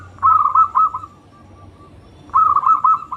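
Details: Frequently singing local zebra dove used to trigger singing in other doves: a bright rolling coo trill, a long soft tail, then a second trill about two seconds later over faint background hum.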